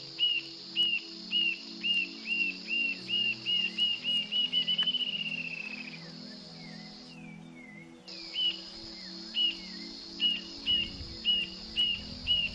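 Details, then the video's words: Rufous-tailed jacamar (Galbula ruficauda): high, thin whistled notes that speed up into a rising trill, then drop away before starting again, over a low pulsing hum. "Ave Ariramba De Cauda Ruiva (Galbula ruficauda) sovelão e barra do dia"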